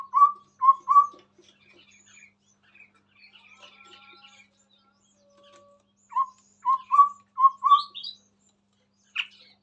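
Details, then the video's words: Chestnut-rumped babbler singing in front of a phone: short whistled notes near one pitch, two or three in a row, then a pause and a series of five rising whistles, with faint chirps between. "Burung Tepus Tunggir merah Gacor"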